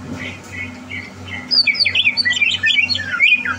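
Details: Caged greater green leafbird prepared for competition, recorded 30 November 2022: soft notes at first, then an energetic jumble of sharp whistles, squeaks and chattering chirps, with a steady low hum.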